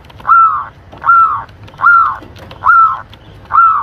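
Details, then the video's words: Local Lampung zebra dove call used to lure birds and to stimulate breeding: five mellow downslurred coos, each with a brief bright start, spaced evenly under a second apart over faint background hum. "PIKAT PERKUTUT ‼️ Suara Jernih Ampuh Buat Pikat & Masteran Perkutut Untuk Merangsang Birahi"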